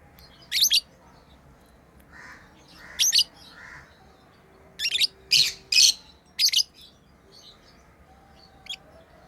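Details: Pet lovebirds playing give loud, piercing chirps in short bursts, some paired, spread over several seconds, with softer lower twitters between them and a few faint high ticks near the end.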